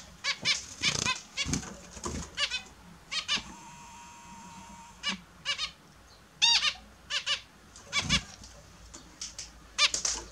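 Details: Australian zebra finches kept as pets during a morning bath; busy series of nasal, trumpet-like calls in quick pairs and clusters, splashing, and a steady high tone in the background.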